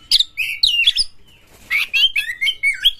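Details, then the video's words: Fierce kacer (Oriental magpie-robin) song meant to rouse another kacer to sing: two quick runs of loud, twisting whistles and sharp chirps with a brief pause between them. "KACER GALAK dapat menyebabkan Kacer Anda GACOR NGEPLONG BONGKAR MATERI"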